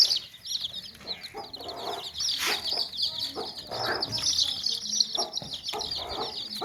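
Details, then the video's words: Chicks crowded in a tokri basket chirp continuously, a thick chorus of high, quick peeps, while hens' deeper clucks and scuffling sounds break in every second or so. "Baby Chicks Chirping Sounds In Tokri | Chicken's Chicks Sounds and Chickens Clucking Sounds"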